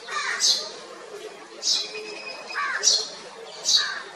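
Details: House sparrow in Kotte, Colombo District, Western Province, Sri Lanka: four bright, sharp chirps spaced irregularly, several with a lower, slurred tail, against a quiet background hiss.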